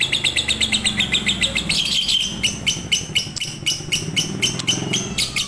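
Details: Lovebird in fighter style, a tutor for birds reluctant to sing: quick high chirps at first, then louder, spaced, sharp clipped notes over background hiss and low rumble.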